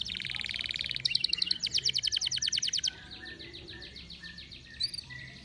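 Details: Over-birahi canary, in intense breeding heat, delivers a high rolled trill that shifts into faster sweeping buzzy notes, then fades to softer scattered chirps with one short bright note near the end.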